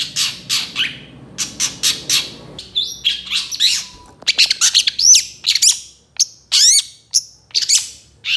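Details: Long-tailed shrike in full 'tembakan' song rich in 'isian' phrases, a tutor recording: harsh grating notes give way to varied whistles, sharp chips and up-slurred squeaks in rapid, uneven sequence.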